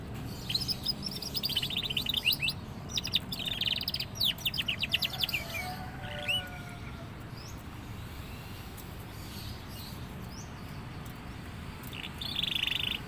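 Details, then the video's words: Young canary just beginning to sing prolifically: rapid high trills and buzzy rattles for about five seconds, then a few scattered thin notes and a brief closing buzz over steady low background rumble. "suara burung kenari paud mulai gacor"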